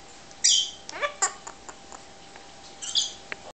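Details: A pet male Hahn's macaw (red-shouldered macaw) doing his "evil laugh": a harsh screech, then a string of throaty, laugh-like hoots, ending with another raspy squawk.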